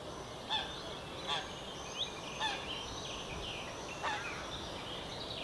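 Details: Little grebes, four birds, at Wierdenseveld, give short, sharp, high-pitched calls, about five spaced irregularly, over a steady hiss of wind or background noise.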